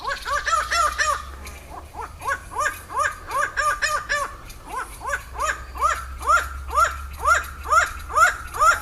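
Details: Laughing falcon (Herpetotheres cachinnans) in Brazil giving its laughing call: a long run of loud, hoarse, cackling 'ha' notes, about two per second, strongly laughter-like and steady throughout.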